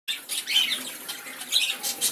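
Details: An Asian green bee-eater (Merops orientalis) gives short, high, trilling chirps in quick bursts over about two seconds, against a hissy background.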